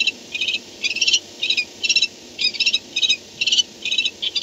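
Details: Barn owl returning to its nest at night, 4:38 am on 2-10-16: rapid, harsh, chittering bursts repeated roughly twice a second in uneven clusters against a quiet background.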